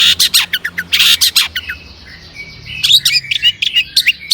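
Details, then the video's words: Long-tailed shrike in full, energetic song rich in mimicry, used as a lure to make other shrikes sing: harsh broadband bursts alternating with short clear chirps, a thin sustained whistle midway, then quick high notes. "suara cendet gacor"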